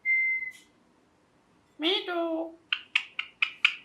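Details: Pet green ringneck parrot talking: a long steady whistle, then a harmonic, speech-like syllable that falls in pitch, followed by five sharp chirps about a quarter second apart.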